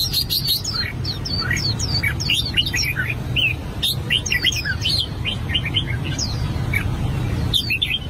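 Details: An albino red-whiskered bulbul works on its song with a dense, rapid stream of high twittering chirps and swooping whistles, then a short pause and a final burst.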